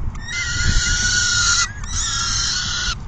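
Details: Two long, steady, harsh wails, each lasting over a second, at a peregrine falcon nest during feeding on June 10, 2022, in the afternoon; faint low rumble underneath.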